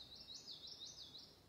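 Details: A Common Yellowthroat sings its three-noted song in a New Hampshire summer woodland near an Ovenbird nest: high rolling phrases repeated about every third of a second over a faint woodland hush.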